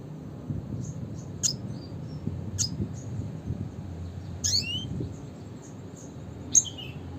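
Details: Red siskin (Spinus cucullatus) calling in the classic style: sparse thin, high chirps and a few downslurred whistled notes, separated by pauses, with a soft low background hum.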